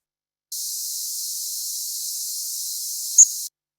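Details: A migrating Yellow Warbler at night gives a single very short, high, buzzy nocturnal flight call, a modulated chip note wavering rapidly up and down in pitch, unlike its daytime call, over a steady background hiss.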